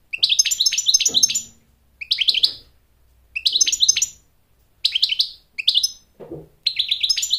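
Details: American goldfinch song used for courtship and for teaching chicks: bright twittering phrases under a second long, repeated with short silent gaps between them, plus a faint low thump.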